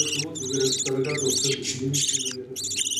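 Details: Budgerigars feeding their young: short bursts of scratchy high chirping alternate with a rhythmic low pumping, gulping sound, then more rasping squeals.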